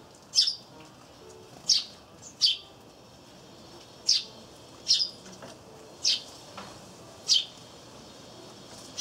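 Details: Eurasian tree sparrows calling near a wreath-shaped peanut feeder during a great tit's visit, 3 April 2013: clear, evenly loud single chirps, roughly eight in nine seconds, spaced irregularly over quiet background.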